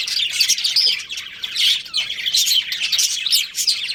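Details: Two budgerigars, a breeding pair kept as pets, chirping together: rapid, high-pitched chatter of clicks, squeaks and short whistled phrases, with a brief dip in the middle.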